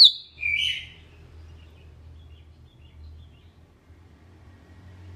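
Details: Sooty-headed bulbul singing: a single short phrase at the very start, a high note sliding down into a lower, rich burbling note, followed by quiet with low background rumble.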